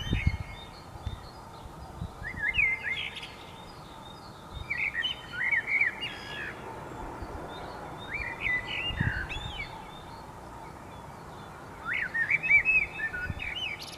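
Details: Dawn birdsong in scattered bursts of quick, twittering, warbled phrases, each lasting one or two seconds and separated by quieter pauses, against a steady background hiss and occasional low knocks.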